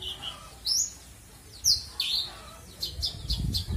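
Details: Australasian bushlark in captivity giving a full isian song: a few sharp, high, downslurred whistles spaced half a second apart, ending in quick faint ticks over low rumbling noise.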